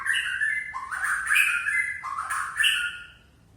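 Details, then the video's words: White-rumped shama of the Aceh type in relaxed full song: a continuous run of rich, varied warbled phrases with dipping and rising whistled notes, loud and clear, fading at the end. "Murai Aceh - SMBF # Sidqi Bongkar Isian santai"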